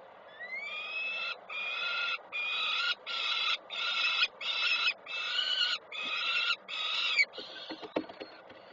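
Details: Peregrine falcon at its nest in Koszalin, Poland, 3 June 2024, the mother arriving to feed a chick; a rising opening wail leads into about nine harsh, even, harmonic calls in quick rhythm, ending in scattered clicks and rustles.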